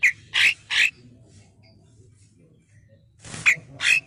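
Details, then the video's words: Male cucak kinoi bulbul with a clear voice, training song: three quick chirps, a pause of over two seconds, then a harsher burst and two more bright notes. "masteran cucak KINOI jantan suara jernih"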